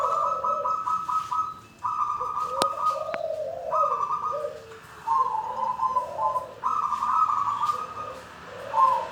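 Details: Wild-caught local zebra dove in full song with coos and throaty rolling notes, bursts of rapid clipped notes alternating with lower warbling coos, two sharp clicks partway through.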